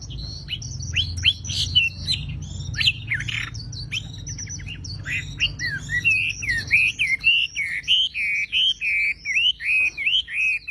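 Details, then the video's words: Energetic Javan pied starling singing: a dense jumble of sharp, scratchy chirps and rattles, then a string of ringing, wavering whistles repeated roughly three times a second, with high twittering layered above. "MASTERAN BURUNG WAMBI FULL TEMBAKAN GACOR DOR"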